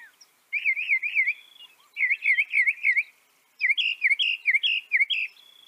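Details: Northern mockingbird song built of repeated wavering notes: a run of three, a run of four, then a longer series of bright warbled notes, all high and clear.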